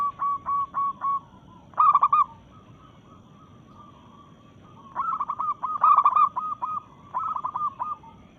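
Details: Local zebra dove in breeding mood, singing to challenge rivals: a row of even, mellow coos, then loud bursts of rapid stuttering notes, the second burst mixed with a softer series of notes.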